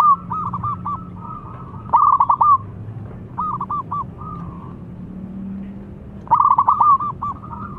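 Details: Young local zebra dove in full song, thick-voiced, kept to lure other doves: rolling bursts of clipped, hooting coos repeated every few seconds, with softer drawn-out coos in between and a low background hum.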